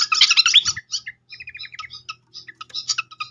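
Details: Srikatan (flycatcher) song used as a lure: a loud burst of dense twittering, then short trilled phrases and scattered chips over a low hum.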